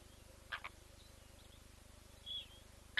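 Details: Blacksmith lapwing near newly hatched leucistic chicks, filmed by a streaming webcam. A quick double tink, a faint thin whistle, then one more sharp clink, all over a constant low electrical hum.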